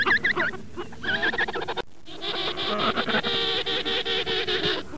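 Penguins calling with harsh, nasal, bleating notes, quick repeated dips, then a dense braying chorus.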